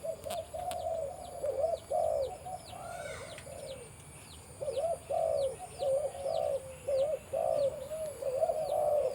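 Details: Breeding male spotted dove with a deep voice, kept on a farm, cooing in low, hollow, throaty phrases repeated in two bursts with a pause between; thin, high, curved chirps from other birds sound faintly throughout.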